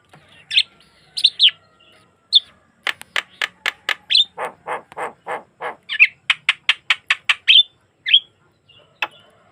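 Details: Javan myna song offered as a lure to set other mynas singing, recorded naturally without effects: scattered high squeaky whistles, then long rapid trains of dry clicks mixed with lower nasal chattering notes, ending in more squeaks.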